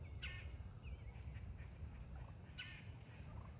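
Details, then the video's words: Wild turkeys in a flock purring and popping while feeding near a person, a sign of contentment and feeling safe: faint short rolling bursts and a soft rising trill over steady low rumbling background noise. "Our Wild Turkeys felt so safe near me today that they made their purring & popping sounds!"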